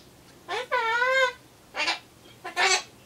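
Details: Pet Solomons corella talking to itself while waiting for pumpkin, in a mood for phrases like "bye-bye, I'm off" and "see you". Three voiced bursts: a short one, then a long wavering harmonic phrase, then two more brief rasping utterances.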